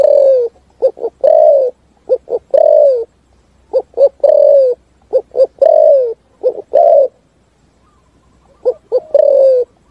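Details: Spotted dove giving the thúc gù style song in forest, clusters of two or three brief coos each ending in a long falling coo, several phrases in a row then a pause, close and clean.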